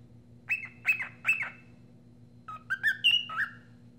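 A cockatiel gives three quick harsh chirps, then a run of rising and falling whistled notes, over a steady low hum.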